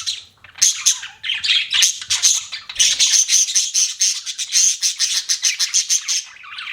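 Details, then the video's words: Pet budgies give rapid, pulsing chirps and squawks, a fast run of repeated scratchy notes with a thin high tone running through. "BUDGIES CHIRPING SOUND"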